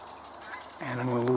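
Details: On 10 October 2022, with Canada geese also heard nearby, a Mallard flying overhead gives a single low, nasal, honking quack lasting about half a second, breaking a quiet background hush.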